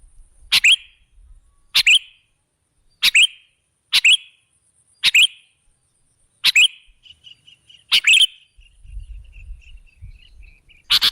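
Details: Kutilang, or sooty-headed bulbul, used as a lure: crisp single chips with a short tail, spaced about every 1.2 seconds, then a fading string of soft high notes.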